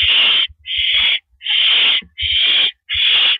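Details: Owl perched on a porch in the evening of April 9, 2012, making loud drawn-out hissing screeches, each lasting about half a second, five in quick succession with light thuds between.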